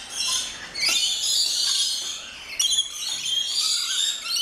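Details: Rainbow lorikeets crowded in an aviary at an orchid farm in Luttelgeest, Netherlands, making a continuous wall of high-pitched screeching and squealing chatter with a sharp burst midway.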